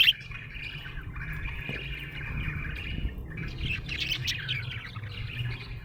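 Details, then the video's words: Contented budgie twittering in a low, steady warble with a brief sharp note at the start, against a noticeable low rumbling background. "Happy budgie chirping sound"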